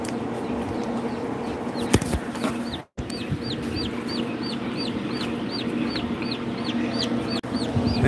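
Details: Ayam Cemani chicken: a steady series of high, thin, downward-slurred peeps, about three per second, over a constant low background hum.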